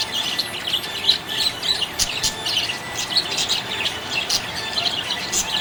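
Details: Budgerigar in a happy mood, chattering steadily with rapid high chirps, clicks and scratchy warbles packed close together; a few louder sharp squeaks stand out near the second and fifth seconds.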